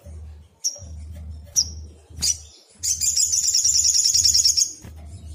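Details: Agitated sogon, the black sunbird, used as a lure to provoke replies: three thin descending high notes, then a rapid ringing trill of nearly two seconds, with a steady low hum throughout.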